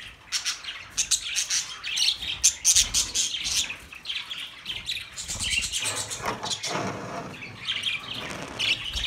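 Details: Budgerigars chirp rapidly in a flickering stream of thin, high tweets and squeaks, steady throughout, with a faint low hum in the background.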